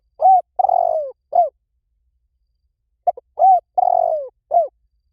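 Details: Spotted dove cooing, used as a lure call that draws birds in quickly in any forest: two matching phrases about three seconds apart, each made of a short note, a round coo, a long falling coo and a closing coo.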